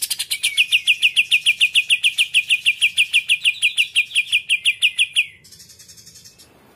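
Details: Greater green leafbird in muntah isian kapas tembak putar song style, said to fire up competing birds: a long steady series of bright clipped chirps, about three per second for five seconds, ending in a brief softer rattle.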